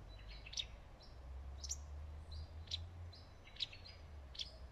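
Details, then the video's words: A wagtail sits on a leafy, shaded branch, giving a series of quick, high, thin chip notes at irregular intervals of about a second. A low steady hum runs underneath. "The wagtail is talking"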